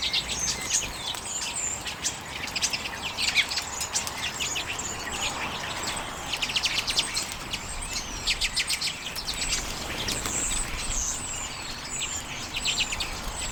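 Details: Redpoll flock (Carduelis flammea) on sunflower seeds, late January 2022, Canon EOS M50; long stretch of busy overlapping dry trills and twitters, several birds calling nearly continuously.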